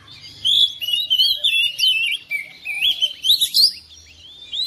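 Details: Home-kept oriental magpie-robin answering another bird and joining in full song: a rapid stream of clear, varied whistled phrases with sliding notes and quick trills, in bursts separated by short pauses.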